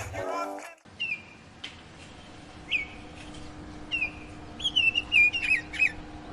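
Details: Juvenile oriole in a garden, sitting in a bowl of jelly and begging its mother to feed it: clear whistled notes that slur downward, given in irregular bursts, with a brief louder non-bird sound at the start.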